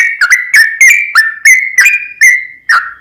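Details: Fast, almost unbroken song of a sooty-headed bulbul, used to make another bird sing: closely packed whistled notes holding near one pitch, with crisp clicks at each note's start.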